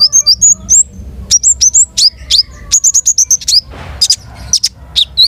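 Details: Long-tailed shrike singing loudly and continuously, a varied medley of high whistled slurs, rising and falling notes and rapid chip series, with one brief noisy rasp midway, over low background hum.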